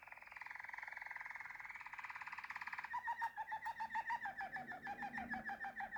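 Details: Waterslager canary holds a smooth rolling trill for three seconds, then breaks into rapid gurgling, water-like notes repeated about three per second.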